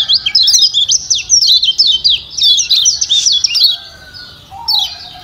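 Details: A Lombok yellow white-eye, a call used to stir quiet birds into singing, gives a rapid stream of high, thin chattering notes for about four seconds, then a few brief high chips.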